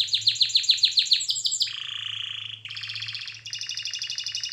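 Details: Canary song for training, beginning with rapidly repeated falling chips, then a lower sustained rolled tour and a pulsed buzzy trill, ending in a high shimmering rattle, over a faint low hum.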